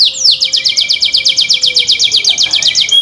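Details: A kept canary's song that sets other canaries singing: a fast, even trill of sharp downslurred high notes, roughly eight per second, held steadily for about three seconds.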